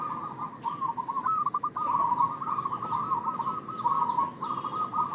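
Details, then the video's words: Zebra dove of local stock giving a continuous rolling, trilled coo used as bait, while another bird adds thin, high, falling whistles overhead. "Perkutut lokal gacor suara pancingan 100% jitu"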